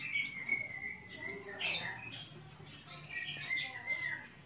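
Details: Captive-bred Horsfield's bush lark singing steadily: a quiet, continuous run of thin whistled notes and short downslurred chips, varied and overlapping, with low background murmur.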